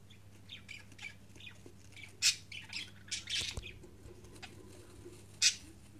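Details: A fifteen-day-old budgerigar chick gives loud, harsh, broadband squawks, about five bursts spaced a second or more apart, with softer chirps between them over a constant low electrical hum.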